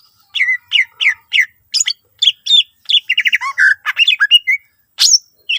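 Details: Greater green leafbird singing its fill-in phrases to prompt other leafbirds: evenly repeated down-slurred chirps, then a faster jumbled run of buzzy notes and whistles, ending with a high sweep.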